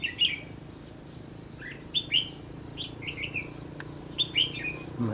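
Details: Red-whiskered bulbul in a trapping setting: bright whistled phrases, some rising and some falling, come in quick clusters separated by brief gaps, with a faint low hum underneath and a soft click.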